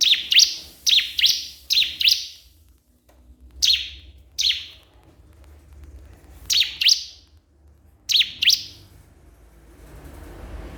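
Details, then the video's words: Crystal prinia calling a rival, a run of paired high chirps at first, then single and doubled buzzy notes with longer pauses; background noise rises toward the end. "cikris/ciblek kristal gacor memanggil lawan"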